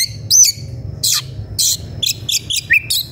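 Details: Excited white-rumped shama seeking an opponent: varied loud, sharp whistles and harsh bursts delivered in quick succession, each note different, over a faint low background hum.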